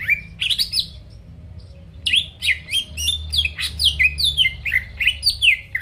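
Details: Greater green leafbird song intended to trigger rivals into singing; a brief whistled burst, a short silence, then a rapid cascade of downslurred notes and sharp high slurs.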